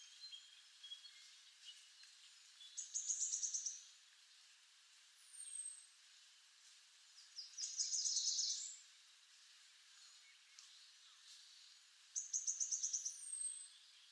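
Red-headed tanager giving rapid, high, stuttering trilled phrases under a second long every few seconds, with thin downslurred notes between, over a faint steady hiss.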